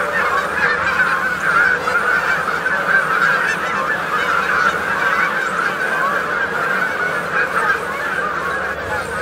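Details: A feeding flock of Canada geese keeps up continuous overlapping nasal honks and chatter, with crickets or grasshoppers giving a faint high hum behind.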